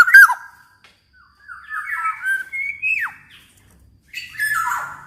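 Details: Black-naped oriole in energetic song meant to stimulate other orioles: a mellow whistle, then a string of gliding fluty notes ending in a steep downslur, and a final harsher phrase.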